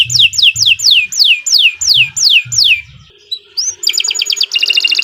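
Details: Canary in long continuous song, used as a master for training birds and drawing out birds that stopped singing. Falling whistled sweeps repeat about three times a second, then a brief lull, a rising note and a rapid buzzy trill.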